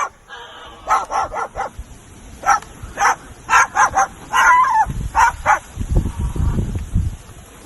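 A cockatoo gives a convincing dog-like bark in short clipped bursts, first a quick run of four, then a dozen more uneven woofs, with low rumbling noise near the end.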